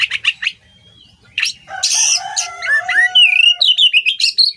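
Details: Oriental magpie-robin song for training songbirds: scratchy chattering bursts and a low harsh note lead into a run of clear rising and falling whistles.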